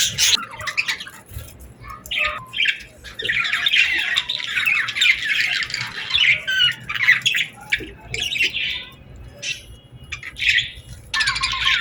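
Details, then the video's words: Birds chirping through a summer sunset: a continuous run of scratchy, busy chatter with many overlapping notes, briefly quieter near the end before resuming. "Evening Birds Chirping Sounds Effect | Summer Birds Singing at Sunset"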